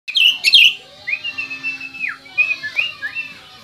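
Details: Oriental magpie-robin, native to West Kalimantan, singing clear whistled phrases: a bright burst of notes, then long level whistles and downward-slurred notes, with a short rising whistle near the end. A faint low hum sits underneath.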